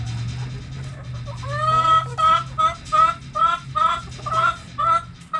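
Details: Backyard hen around a cabbage repeats a nasal, slightly rising cluck roughly every half second, steady and insistent, with a constant low hum underneath.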